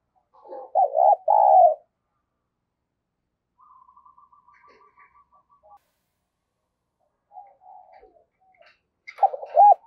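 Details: Spotted dove coos used as a lure for wild doves: a loud burst of three or four mellow, hooked notes, a long quiet stretch of soft pulsed murmuring, then another loud cluster of rounded coos.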